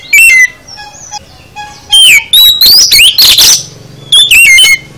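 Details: Oriental magpie-robin (kacer) in full isian song: soft, thin whistles at first, then loud bursts of upslurred whistles and scratchy notes, with a final run of falling whistles.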